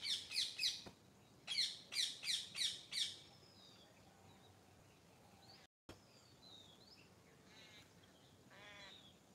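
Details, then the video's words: Morning birdsong: two bursts of rapid, sharp high chirps, three then five notes in quick succession, followed by faint distant whistles and a brief trilled buzzy note from another bird. "Morning Nature Sounds - Bird Sounds"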